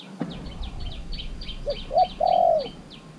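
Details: Three-month caged spotted dove acting as a decoy to call wild doves. It gives one three-part coo ending in a long rolling note, beneath rapid repeated high chirps from small birds and a sharp knock at the start.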